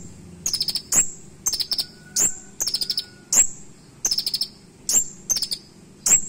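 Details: Purple-throated sunbird (kolibri ninja) with a sharp, filled song in the 'nembak' style, meant as a tutor recording for other birds. High piercing whistled notes alternate with quick dry ticking bursts, the pattern recurring roughly every second.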